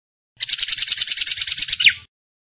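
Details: Master recording of a hair-crested drongo for cage-bird training, with an under two-second run of harsh, rapidly repeated high chirps that ends in a louder note sliding downward, then stops abruptly.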